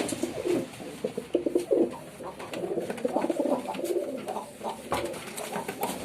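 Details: Pigeons producing dense, overlapping low coos and murmuring notes almost without pause, with scattered sharp clicks and rustles throughout.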